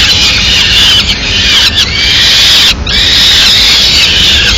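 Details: Peregrine falcon chicks begging vigorously as the female brings small-bird prey, Madrid; sustained piercing, rasping high wails with a couple of abrupt pauses, loud throughout.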